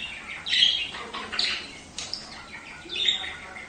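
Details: Budgerigar chatter played to stimulate budgies to breed: bright, scratchy warbling notes in quick bursts, with louder squeaky phrases near the start, middle and end.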